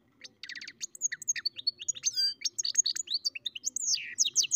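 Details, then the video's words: A goldfinch × canary mule sings a fast, high, tinkling song of buzzy trills, sweet whistles and twittering notes, almost without a break. "καρδερινοκαναρο κελάηδημα (European Goldfinch carduelis mule singing)"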